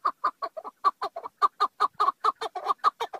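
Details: Chukar partridge uttering loud, throaty clucking notes in a fast, slightly uneven rhythm, some notes doubled, about four to five per second.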